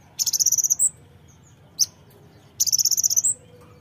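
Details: Brown-throated sunbird, song aimed at making birds sing: two fast, piercing high trills of about ten notes, each closing with an upslurred whistle, separated by a single sharp chirp, over light background hum.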